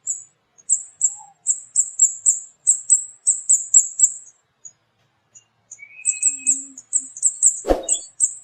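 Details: Flowerpecker (kemade, cabai bird) calling busily: a rapid series of thin, very high 'cit cit' notes, about four per second, with a pause midway, one lower brief whistle and a sharp knock near the end.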